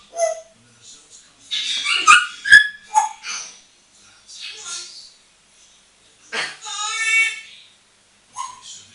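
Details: Indoors on a bathroom towel rail, a moulting, hand-trained female African grey parrot aged eight gives loud clustered squawks and clicks, a pause, then a long harmonic screech and a brief whistle.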